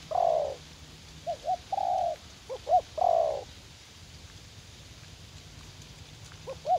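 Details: Spotted dove decoy, a young bird eager to fight, in a U Minh garden: a long burry coo, then brief hoots and another long coo, followed by a silent pause and a final soft double hoot.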